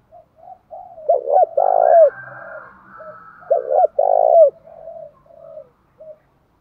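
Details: Pigeon-sized spotted dove giving a fight-inciting call, thổ bầu voice style. Two resonant phrases about three seconds apart, each a quick two-part coo and an extended throaty coo, over quiet murmuring notes and a faint hum.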